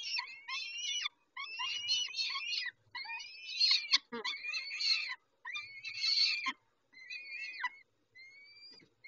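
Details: Feeding-time calls of peregrine falcons at Dobra on 19 May 2021, 11:48. Repeated grating, quavering wails, about one a second at first, then thinner rising whistles toward the end.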